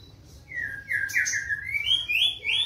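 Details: A black-tailed white-rumped shama sings a quick chain of clear whistled notes that step upward in pitch, each slurred and rising, with a few sharper high accents, over a low humming background.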